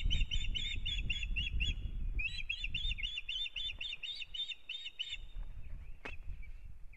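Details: Pair of Ospreys at their Kurzeme nest, Latvia, beginning the breeding season, 9 April 2022: long excited strings of piercing, high whistled chirps in two bursts, with low rumbling wind underneath.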